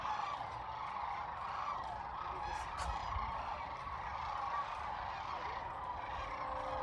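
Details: About half a million sandhill cranes gathered at the Platte River in central Nebraska during spring migration, on a cold, windy day. A dense, unbroken chorus of overlapping rolling, rattling calls forms a constant roar, with wind gusts beneath.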